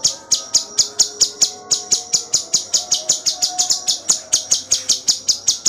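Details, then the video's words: Cucak cungkok in full steady song for training other birds: loud piercing high notes repeated evenly, roughly four a second, with faint soft whistled tones in the background. "Masteran cucak cungkok II Full gacor tembakan rapet"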